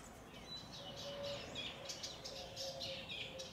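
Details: Eastern olivaceous warbler, a rare bird in Italy, singing in a garden in the Bassa Modenese, Italy, in May 2023: a fast, scratchy, chattering run of varied short notes, steady low hum underneath.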